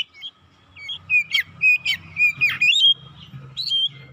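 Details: Oriental magpie-robin giving a fast, insistent lure song to provoke birds: a lively string of bright whistles and harsher scratchy notes, roughly four per second, over a faint low hum.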